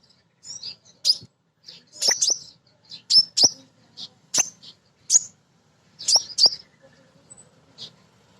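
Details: Female crimson sunbird, used as a lure to set birds singing: crisp, very high, sharp ticking chips, singly or in quick pairs, about every second, on a clean quiet background.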